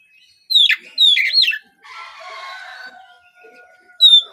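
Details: Kacer trotol, a young spotted Oriental magpie-robin, giving two loud swooping whistled notes, then a softer rasping, buzzy passage, and ending on a clear high whistle. The song is a morning lure to get other birds singing.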